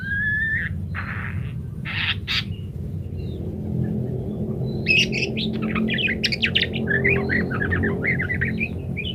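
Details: Parakeet song used as a training recording for munias; a few isolated whistled notes and buzzy bursts, then a lively, rapid stream of chirps and twitters in the second half, with low background hum.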